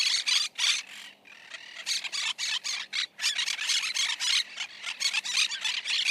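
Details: Monk parakeet (Myiopsitta monachus), known locally as caturrita, giving a rapid, near-continuous run of harsh, grating screeches, roughly three to four bursts per second with brief gaps, loud and raspy throughout.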